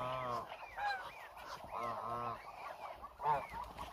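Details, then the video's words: About a thousand hungry Muscovy ducks on the move: bursts of rich, buzzy honks in quick succession alternate with thinner rising squeals from other birds in the flock. "1000 Hungry Muscovy Ducks"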